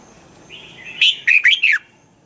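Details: Red-whiskered bulbul singing, a recording meant to rouse caged birds in Thailand: a soft rising lead-in note followed by four loud, rich, slurred whistles falling in pitch, delivered quickly within a second.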